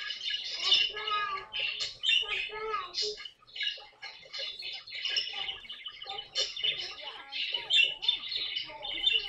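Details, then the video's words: Pet caique parrot, kept indoors, caught in a funny moment: dense bursts of high chirps and squeaky chatter tumbling together without pause, with some lower warbled notes underneath. "попугай каик!"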